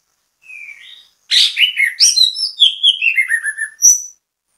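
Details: Orange-headed thrush singing vigorously as bait song for other orange-headed thrushes: a soft opening whistle, then a rapid, varied run of sharp chirps and slurred whistles cascading downward, over about three seconds.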